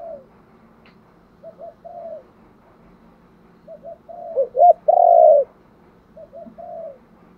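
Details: Spotted dove calling to lure, low soft hoots building to a pair of rising coos and one long, loud coo near the middle, then quieter hums.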